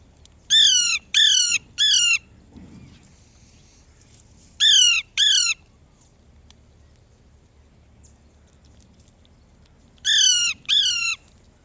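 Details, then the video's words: Parrot calling: harsh, grating squawks in bursts of three, then two, then three, each note falling in pitch, with quiet pauses between the bursts. "A very beautiful parrot's voice lovely sound صوت ببغاء جميل جدا"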